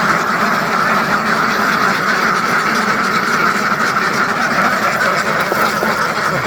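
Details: A huge farmed duck flock of several hundred birds fills the air with continuous, rough, overlapping quacks, an even and unceasing din.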